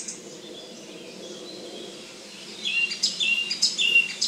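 A Song Thrush sings bright, varied high notes, a quick run of sharp whistles and chirps in the second half, over a faint low hum.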